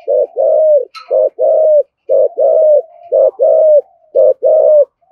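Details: Spotted dove in thúc gù style, a throaty coo used to provoke other doves: loud paired coos, a short note then a longer falling one, repeated about every second, with soft murmuring between pairs.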